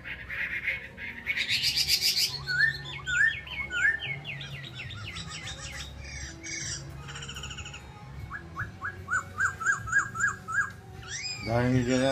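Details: Pair of caged hwamei in rich, varied song: rapid repeated whistled slurs, buzzy trills, a rolling series of quick rising notes and a final harsh descending rattle, with a low background hum throughout.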